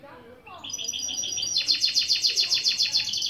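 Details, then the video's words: Goldfinch × canary mule singing a lesson intro phrase. A few short, high chips build into a loud, rhythmic pulsed trill of about eight notes per second that runs to the end. "Saka Melezi Ön Çıkışlar"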